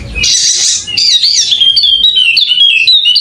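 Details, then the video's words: Golden-headed Wallacean white-eye from Sumbawa, West Nusa Tenggara, opening with a harsh, rushing burst. It then runs into a chain of clear, wavering whistles that step up and down. "Burung Pleci Wallacea Kepala Emas Andemik Burung NTB Sumbawa Bunyi Buka Paruh Gacor!!!"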